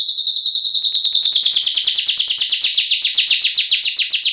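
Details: Canary song, presented as a lure and tutor recording in the gacor isian style, with a female luring a male: a rapid, very high rolling trill of tight, even notes, steady for about four seconds after a brief opening note.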